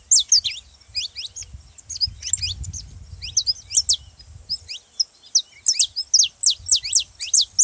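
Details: Song of a saffron finch used to fire up other canaries: clusters of bright, high descending notes, sparse at first, then a fast, even run near the end, with low rumble early on.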